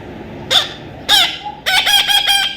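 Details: Baby Indian ringneck parrot being tamed: three harsh, rasping squawks, the last a rapid burst of five or six grating notes, each a buzzy harmonic call.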